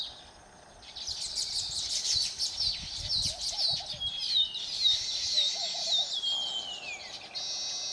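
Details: Baya weavers in Phaltan, Satara, Maharashtra, India, chatter in high, rapid chirps about twice a second, ending in a wheezy downslurred whistle, over a steady hiss of background noise.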